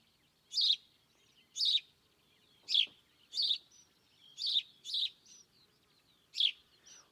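A sparrow gives bright, single-note chirps, about one a second and slightly irregular, each a short high burst with nothing else audible.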